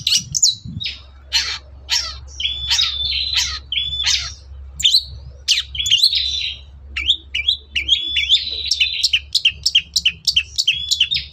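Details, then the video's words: Long-tailed shrike singing in the morning to provoke answering birds: a varied stream of chirps, buzzy notes and whistled slurs, ending in a fast series of repeated sharp notes over a steady low hum. "CENDET GACOR PAGI HARI BIKIN BURUNG APAPUN EMOSI NYAUT BUNYI"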